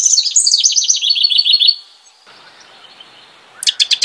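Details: A house wren sings a rich, bubbly run of fast, high, stuttering notes that falls slightly in pitch for nearly two seconds, then quiet background hiss before a short burst of sharp repeated notes.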